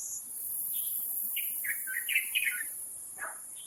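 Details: Taiwan Blue Magpie rearing nestlings, wild birds at Taipei Zoo, Taipei, 7 May 2022 at 11:43; a quick run of short, harsh, chattering notes that rise and fall, over a steady high-pitched insect buzz.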